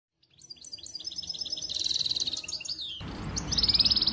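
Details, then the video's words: Excited male canary singing to stimulate the female and male to mate: a quiet start builds into varied high chirped phrases, then a fast buzzy trill, a brief noisy break, and a fresh rapid trill. "تغريد كناري حامي صوت هائج لتحفيز الأنثى والذكر لتزاوج"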